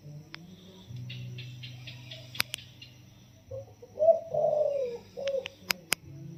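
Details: Spotted dove taken from the wild and 16 days in a cage delivers a soft 'yon kuk diao' crow: a low steady hum with faint high chirps first, then mellow low coos, one long falling, amid a few sharp clicks.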